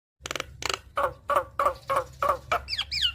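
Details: Javan myna chattering song, played to coax a reluctant bird into singing: a run of harsh, nasal notes about three per second, ending in a few bent, whistled slurs, over a low steady hum.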